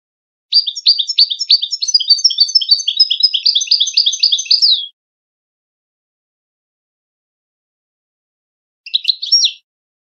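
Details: Widani-style European goldfinch song for tutoring contest birds, young goldfinches and hybrids: a long, fast run of tinkling twitters lasting about four seconds, followed later by one short chattering burst.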